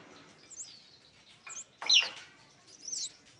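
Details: Scarlet-backed flowerpecker lure sound: a few thin, very high, sharp chirps spaced over about three seconds, with a louder double chirp near the middle, against faint background hiss.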